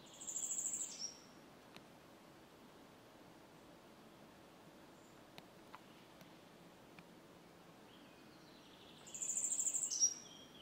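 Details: Grey wagtail recorded 27 June 2023 at Močilnik, Vrhnika, Slovenia, giving two brief bursts of sharp, very high, rapid ticking calls about eight seconds apart, over a steady rushing sound like running water.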